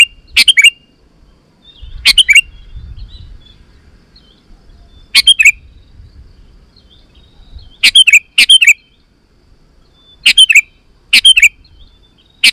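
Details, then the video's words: Sooty-headed bulbul song meant to make wild bulbuls answer and sing: bright, quick chirping phrases at irregular intervals, sometimes in close pairs, with a thin faint whistle and low rumble between. "Suara Burung KUTILANG GACOR 100% Ampuh Untuk Suara Panggilan Kutilang Lain auto Emosi dan Gacor"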